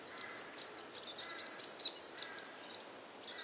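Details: Juvenile grey fantail, a stray bird whose features proved hard to pin down so its identity was uncertain, recorded 18 April 2011, gives thin, very high squeaky chips and short twittery notes at an uneven pace over faint hiss.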